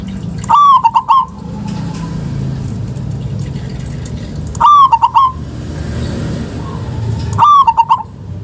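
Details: Local zebra dove calls intended to set lazy doves calling: three bouts roughly every three to four seconds, each a slurred whistled coo ending in a short trill of three notes, over a low rumbling background.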